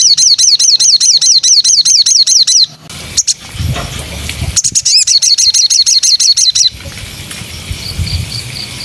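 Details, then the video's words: White-rumped shama training song: long strings of quick, high, down-slurred notes repeated many times per second, a pause with faint scratchy sounds, then another rapid burst and a few soft high pips. "MATERI BARU BURUNG MURAI dijamin nembak pedas"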